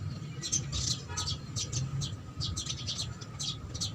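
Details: Feeding house sparrows give sharp, short high chirps in loose bursts, several birds overlapping, with a low rumbling background hum.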